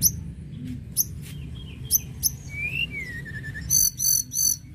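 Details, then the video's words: Lark song in the mountains: high clicking chips every second, then a long sliding whistle rising and falling, ending with three loud buzzy high bursts, over low rumbling background noise. "Tledekan gunung gacor mantap mantap"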